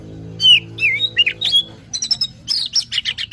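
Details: Magpie-robin lure sound, a bird being lured: high whistled slurs and sweeping notes followed by quick, clipped chirps, over a steady low electrical hum.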